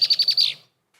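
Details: Female Red-winged Blackbird gives her 'I'm taken, I love you' song to her mate: a quick, high chatter of about five sharp, downslurred notes in just over half a second; no other sounds.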